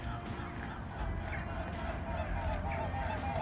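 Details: Three swans on the water in early spring in Bergen, Norway, in March. Soft, nasal, honking tones repeat irregularly under heavy wind and water noise.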